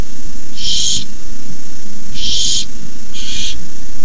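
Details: Barn owl chicks hissing at the nest at 9:57pm, 18 May 2015, during a rabbit delivery by an adult; three loud breathy hisses about a second or more apart, low hum in the background.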